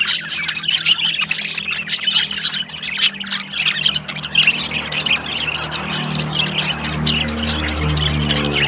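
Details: Pair of budgerigars, male yellow and female blue, courting and looking for a nest; chattering warble of fast squeaky notes, with a low droning hum growing toward the end.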